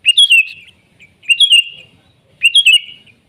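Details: Wild sooty-headed bulbul singing busily: three short, clear, bubbling whistled phrases, each rising then dipping and fading, spaced roughly a second apart against a quiet background.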